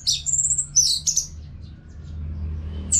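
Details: Orange-headed thrush, a singing caged bird used to train other birds to sing, from North Bali, Singaraja. Short high whistled phrases open the clip, then a quiet gap, then a final high note. A low steady hum runs underneath.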